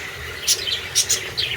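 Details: Aviary lovebirds or budgerigars in the evening as darkness falls, one bird calling. Short, bright, high chirps come in quick bursts of two or three over a steady background hiss.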